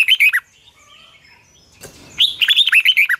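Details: Red-whiskered bulbul morning training song: a short whistled phrase, then a quiet pause with faint chirps, then a longer run of bright, bouncing whistled notes.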